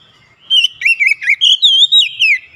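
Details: Energetic whistled phrase from an Oriental magpie-robin (kacer) in gacor song: sweet, looping notes strung together quickly, ending in a long bright whistle that slides downward, background clean and quiet.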